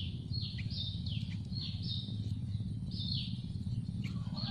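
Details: Hungry Yellow-vented bulbul nestlings begging for food in a nest in a tree: thin, high, down-slurred squeaks, several overlapping, three or four per second, over a steady low rumble.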